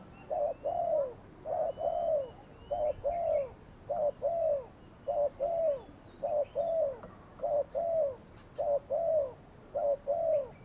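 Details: Spotted dove acting as a trapping decoy, recorded on a Saturday; regular, even sequence of coo phrases, each a quick pair of notes and a falling croon, about one per second, with soft distant bird twitters.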